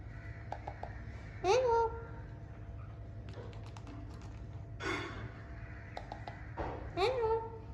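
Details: Alexandrine parakeets talking while playing: two voice-like, speech-like utterances that swoop up then down, about five seconds apart, with a harsher burst and light tapping between them.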